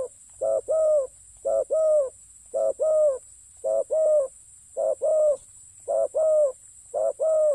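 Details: Spotted dove, ground decoy luring, cooing in a regular rhythm: a brief note then a longer mellow one, the pair repeated about once a second, seven times, clear against a quiet background hiss.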